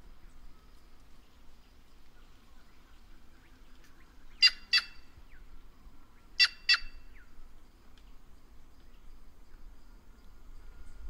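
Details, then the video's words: White-naped jay (Cyanocorax cyanopogon), called the voice of the Brazilian caatinga. After a quiet start, two harsh paired calls come two seconds apart, loud raspy notes set against a calm background. "Canto da Gralha Cancã Cyanocorax Cyanopogon"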